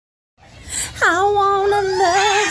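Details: Captive yellow-naped amazon parrot singing human songs, including Twinkle Twinkle Little Star, Somebody Like You and You Are My Sunshine; a sustained, steady, voice-like tone with rich harmonics, held for over a second after a slight dip.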